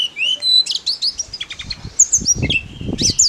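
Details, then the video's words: Persistent song of a snowy-browed flycatcher meant to excite other songbirds: high twisting whistles and sharp chips in quick sequence, accompanied by soft low thumps and rustling sounds in the second half. "KICAU TLEDEKAN GUNUNG GACOR"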